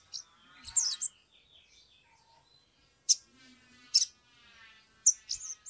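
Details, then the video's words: Energetic Sumatran leafbird singing with agitation as a lure to prompt other birds to sing: scattered sharp high chips and short scratchy phrases separated by brief pauses, with a faint hiss in the background. "pancingan sogok ontong atau SOGON biar cepat bunyi"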